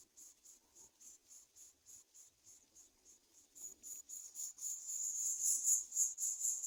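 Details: Greater coucal chicks begging as an adult brings locusts: a rapid train of thin, hissing high pulses, about four per second, steady at first and then growing louder and more continuous toward the end.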